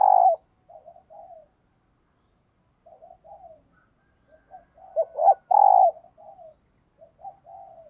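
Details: Decoy spotted dove cooing in the morning to attract wild doves; a loud coo opens, soft coo phrases follow, then a loud run of short coos and a long coo, trailed by quieter answering coos.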